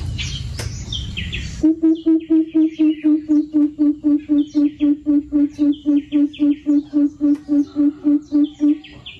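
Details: Coucal calling to its flock inside an aviary, giving a long, even run of some twenty deep, hollow hoots at roughly four per second, all on one low pitch, after a burst of noise; small birds chirp faintly throughout.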